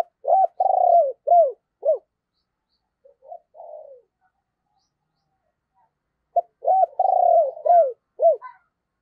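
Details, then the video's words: Spotted dove lure bird with a deep 'thunder voice', cooing to draw in wild doves: two bursts of low hooting coos, each a quick run of short notes then a longer falling coo, with softer notes in the gap. "Tiếng Chim Cu Mồi Gáy Hay, Mở Lên Kích Bổi Cực Nhạy"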